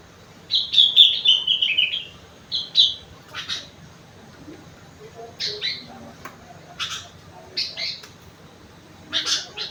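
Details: Sooty-headed bulbul singing its rengganis and cucak wilis song filling: an opening run of high, clear whistles falling in pitch, then scattered rasping bursts and short chirps spaced a second or two apart.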